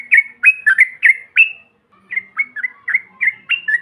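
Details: Yellow-vented bulbul 'ombyokan' calls to provoke other birds: clustered sharp, slurred chirps, a short pause, then another series of quick bubbly notes, about three per second.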